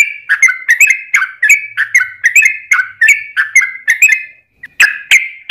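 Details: Trucukan in lively gacor song, played to draw other birds into singing: a steady string of bubbly, slightly falling notes about four per second, then a short break and a few more notes.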